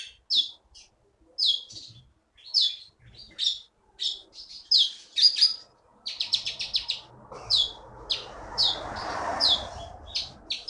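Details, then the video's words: High-pitched song of a caged keety (konin), a champion bird caught in the Bangka forest of Indonesia: sharp chirps spaced about half a second apart, then a denser chatter over a rising hiss. "KEETY BURUNG JAWARA FULL GACOR"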